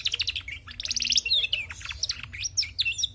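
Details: Female canary chattering energetically: fast trilled bursts of bright, high chirps, then looping whistled notes sliding up and down in quick succession, loud and clear above a faint low hum.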